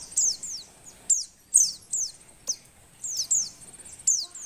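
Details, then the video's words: Oriental white-eye female in breeding condition, used to urge silent males to sing, giving sharp high downslurred chirps singly and in pairs, with soft background noise. "suara pleci betina birahi"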